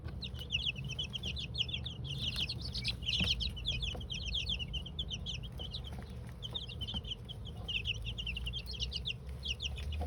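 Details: High, rapid peeping from many two-week-old chicks in their coop during a first dust bath; steady overlapping chirps throughout, with faint scratching and low hum underneath.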